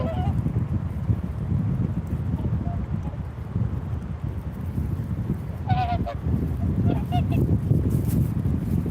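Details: Swans give a few honking, nasal calls late in the recording, some with a rising inflection, against constant strong wind noise.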